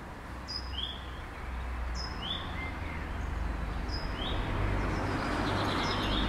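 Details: Common swifts passing by a house: thin, high screams every second or so, partly masked by a steady low rumble like traffic that grows louder toward the end.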